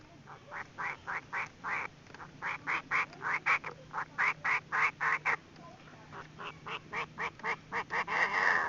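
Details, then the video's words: Chinese francolin female call played as a trapping decoy: a fast series of harsh, clucking notes, roughly four per second, in uneven bursts with short pauses between runs. "tiếng chim đa đa(gà gô) mái mồi cực chuẩn"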